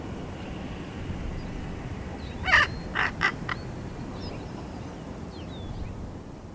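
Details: Baby raven, 13 and a half weeks old, practising its developing voice. A burst of four short, harsh, croaking notes lands within about a second, then faint thin chirps of other birds sound against steady background hiss.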